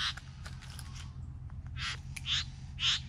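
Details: Bowerbirds, three present, giving a few harsh, breathy rasps that grow louder near the end, each about a third of a second, over faint scratchy background and a constant low drone.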